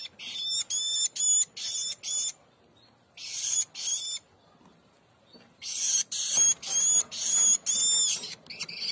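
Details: Hand-reared woodchat shrike chicks, being fed mealworms, give harsh, raspy, high begging calls, about two per second, in bursts broken by brief pauses.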